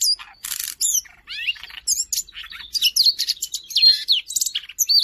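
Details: Vigorous Siberian rubythroat song from Jakarta, recorded 5 March 2025 as a master for other cage birds; a burst of noisy rasp, then sweeping whistled notes and rapid trilled series, varied and continuous, all high-pitched.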